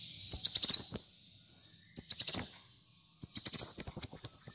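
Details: Kolibri muncang sunbird in lively song, for training caged birds. Three shrill phrases of fast ticking notes run into thin sustained whistles, with the last phrase stepping down in pitch.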